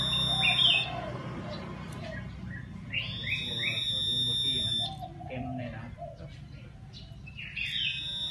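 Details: Black-headed iora song played for stirring wild birds: loud ringing level whistles with rich overtones, each followed by short upslurred notes, repeated in three bouts a few seconds apart, with faint background murmur.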